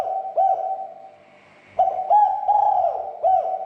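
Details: Spotted dove cooing, used to agitate other doves until they call. The end of one phrase is followed by a quiet gap of about 1.5 seconds. A fresh phrase of slurred, bouncing coos then repeats at mid pitch.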